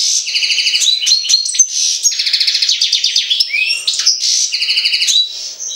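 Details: European goldfinch from Jagodina in full song. Bright, fast trills of evenly repeated notes alternate with tinkling chips and a few rising slurs in a continuous, cheerful flow.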